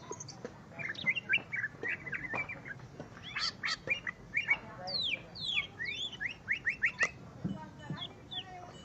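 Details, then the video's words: Greater green leafbird engaged with a rival: short choppy whistled notes and squeaks in irregular bursts, then loud steeply falling and rising slurred whistles, with scattered clicks throughout. "cucak ijo Akhirnya dapat LAWAN tempur.."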